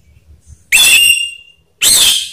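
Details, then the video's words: Orange-headed thrush lure recording meant to prompt a silent bird to sing: two loud, rich whistled phrases, each opening with an upward sweep then a held ringing note, separated by a short gap. "Pancingan Anis Merah/seketika emosi bikin Ngakrak lanjut ngeplong"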